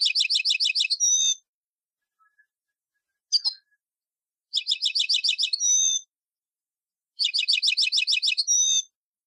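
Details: Tunisian goldfinch singing an old song style known as Sahnoun of Sfax: three bursts of fast, buzzy, rattling twitters, each about a second long and ending in a clear whistle, separated by silences with one brief chip between.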